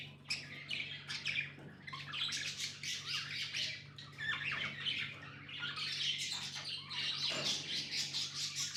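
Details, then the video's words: Several pet budgies chattering together in a dense, scratchy wash of squawks and chirps with hardly a pause, over a low electrical hum. "Budgies amazing love & chirping sounds"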